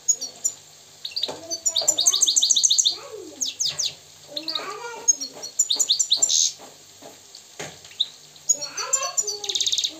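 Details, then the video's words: Moroccan goldfinch, a wild bird, in full song: dense runs of quick, high tinkling notes mixed with buzzy rolls and lower, wavering tones, delivered in several lively bursts. "استمع واستمتع الى طائر الحسون المغربي الحر الاصيل"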